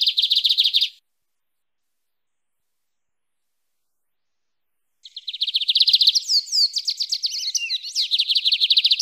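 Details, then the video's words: Lined seedeater, canto mateiro song style for warming up a pet bird: the end of one high rattling trill, a pause, then a long varied phrase mixing fast repeated chips with sliding, twisting notes. "Bigodinho Canto Mateiro"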